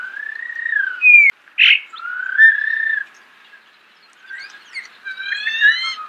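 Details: Close recording of starling song: long steady whistles, a sharp click and a buzzy note, then a quiet gap followed by chattering and a high, stacked, tinkling phrase.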